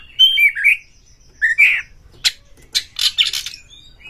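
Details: Oriental magpie-robin lure song, played to provoke other magpie-robins and stir them to fan the tail; bright falling whistles give way to several harsh, rasping bursts in quick succession.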